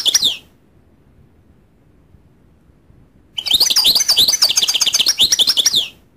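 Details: Goldfinch song: a brief high twitter at the start, then about three seconds of rapid, tinkling, liquid chirps and trills after a pause, bright and high-pitched with no other sounds.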